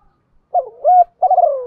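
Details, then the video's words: Part of a spotted dove coo phrase meant for training newly caught doves to call: a soft rising hoot, a level mellow note, then a long slurred coo that slowly slides downward. "tiếng chim cu gáy luyện chim bổi mỗi ngày"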